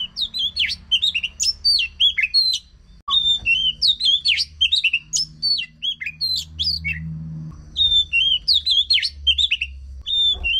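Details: Oriental magpie-robin song played to get a non-singing bird going: dense bursts of varied whistles, chirps and quick slurred notes, broken by short gaps, with a soft low hum in the background.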